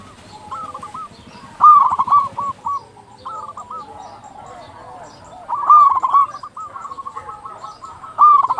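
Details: Zebra dove of local stock singing, used to prompt silent or stressed zebra doves to call: loud stuttering coo phrases at intervals, with a run of evenly repeated soft coos and other doves cooing behind.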